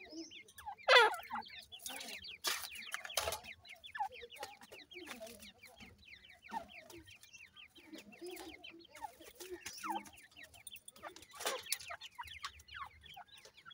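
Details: Young francolin chicks at feeding time keep up a busy stream of high, quick chirps. Frequent loud clattering knocks and a sharp burst near the start break through the chorus.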